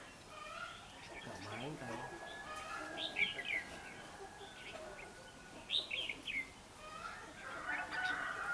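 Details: Red-whiskered bulbuls at a fighting trap, 21 December 2015, decoy singing against a wild bird: short bursts of warbled, chirping phrases repeated every few seconds over a steady faint background hum, quiet voices low behind.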